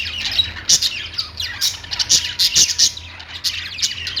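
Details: Budgies kept as pets chirp busily: quick high tweets and scratchy squawks tumble over each other, with several louder chirps in a row midway.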